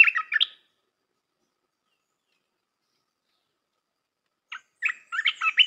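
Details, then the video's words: Red-whiskered bulbul song meant for training young birds: a short burst of chirpy warbles, a long silence, then another quick run of bright, bubbly notes. "เสียงนกกรงตาแดงEp.168 เสียงหัดนกลูกเสอ เพลงเพราะ น่าฟัง"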